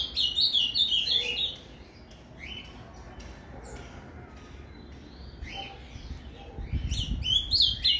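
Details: An ultramarine grosbeak sings a Paraná-style "fibra" song, used to warm up other grosbeaks: rich, fast warbled phrases of sweet whistles, loud at the start and end with softer scattered notes between, over a low hum.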